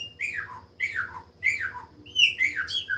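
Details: Chopi blackbird giving three loud descending slurred notes in quick succession, each dropping steeply in pitch, followed by a higher whistled note and a short tumbling phrase.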